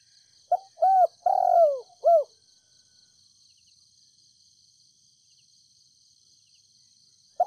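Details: Spotted dove, a decoy bird from Ninh Thuận, calling softly to lure wild doves: one cooing phrase of a short note, a hooked coo, a long falling coo and a final hooked note, then a fresh phrase starting; steady insect hiss behind.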